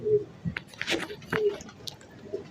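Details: A sick domestic pigeon with a blocked crop and a sore, rasping throat, being handled and given a medicine capsule indoors, gives soft, low, short coos about once a second, mixed with clicks and handling noises.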